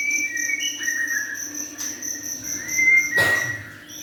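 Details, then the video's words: Young white-rumped shama delivering sustained whistled phrases, a bright tone held and then bent upward, with a brief noisy burst near the end and a constant shrill insect-like hum behind. "Murai batu junior gacor"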